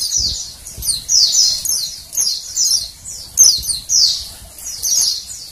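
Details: Female Oriental white-eye producing high, sliding-down chirps in small groups roughly every second, with a few soft low knocks beneath; the calls encourage males to sing.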